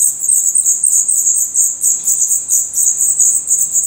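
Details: In a nest in Portugal, young black redstarts with open eyes and growing feathers give a continuous high-pitched hissing chorus of thin, overlapping begging notes.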